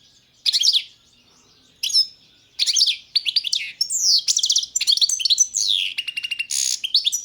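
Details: European goldfinch of the Balkan form, Carduelis balcanica, singing: bursts of bright, high twittering notes with fast buzzy trills and tinkling rolls, broken by short pauses at first, then flowing steadily; no other sounds.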